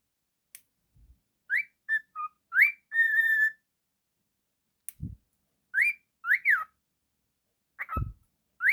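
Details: Pet cockatiel indoors whistling a bouncy phrase of short rising and falling notes with one held tone, pausing, then repeating rising whistles, with a few low knocks between phrases.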